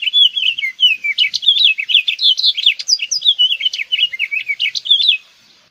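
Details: House finch singing a long, rapid warble of high, bright slurred notes, rising and falling chirps tumbling together for about five seconds before stopping; background quiet.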